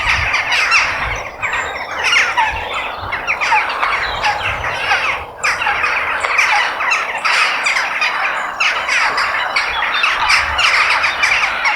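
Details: Crows calling outdoors in nature: a dense stream of harsh, rasping caws overlapping continuously, several birds seemingly at once, with short noisy bursts crowding each other for the whole stretch.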